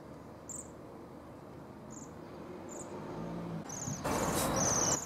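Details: Waxwings visiting Griffithstown, Pontypool, Wales, during the winter 2016/17 irruption; high, thin ringing trills in short bursts about every second, over a steady low rumble like traffic, with louder broadband noise toward the end.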